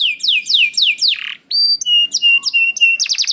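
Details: Canary singing in gacor style to draw out other canaries: falling whistled swoops, a pause, then sustained flat whistles and chirps, closing with a quick burst of downslurred notes.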